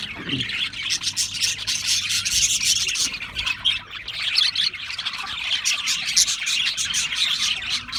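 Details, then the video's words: Australian parrots in a group, giving a dense, continuous chorus of high chirps and squawky twitters that overlap without pause, with a brief low rumble near the start. "Beautiful Australian Parrots Chirping sounds"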